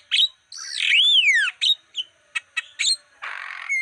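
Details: Javan myna song meant as a lure to attract wild birds: a long descending slurred whistle, a few sharp clicks and chirps, then a noisy raspy burst at the end.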